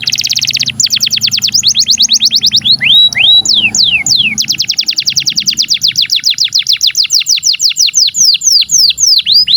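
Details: A canary's long song, used to teach young canaries and those that have stopped singing: a buzzy opening burst followed by a long, quick series of high repeated notes and scattered swooping whistles.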